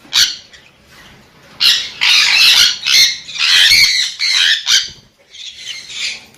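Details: After a single sharp shriek and a quiet pause, a sun conure launches into a string of loud, harsh, buzzy screeches.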